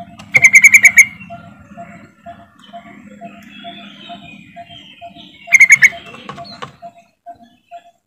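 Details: Yellow-vented bulbul lure call meant to prompt silent birds to sing: two bursts of rapid, bubbly, pulsed notes, each under a second, with a faint repeated tonal note and low rumbling in the background.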